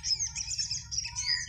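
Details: Sunbird in a four o'clock afternoon singing contest gives a short, dense outburst of high, scratchy twittering, with a faint low hum underneath.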